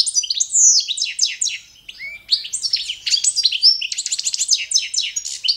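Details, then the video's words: Goldfinch of subspecies balcanica giving a standard competition song: lively jingling twitter, repeated buzzy trill notes and a few lower sliding whistles, delivered almost without pause. "CD za skolovanje štiglića Carduelis balcanica- goldfinch song - World Championship"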